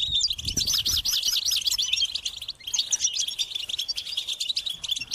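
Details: European goldfinch young call insistently to be fed, a loud, high-pitched twittering chorus of quick warbled chirps that is densest in the opening two seconds, then thins into scattered buzzy notes.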